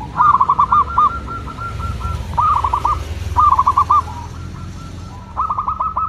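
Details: Local zebra dove singing: several short bursts of rapid pulsed cooing notes with pauses, set against steady low rumbling background noise.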